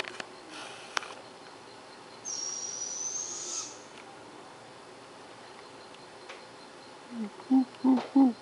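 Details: Barred owl, one of about 5 to 6 counted near Clarkesville in northeast Georgia: three deep, rounded hoots in quick succession near the end, with a thin, high whistle from another bird earlier over a quiet background.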